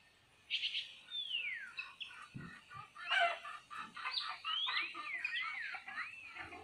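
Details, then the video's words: Red-tailed minla singing a lively run of slurred whistles, several sweeping downward and others curling up and down, mixed with quick chips and a few low knocks. "Chim mi đỏ hay nhất hót hay nhất"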